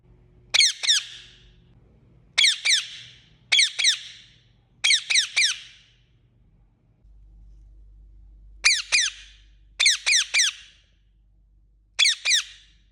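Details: Repeated bursts of two or three harsh, descending chirps from an Indian ringneck parakeet, seven bursts in about thirteen seconds, with quiet gaps and a low background hum.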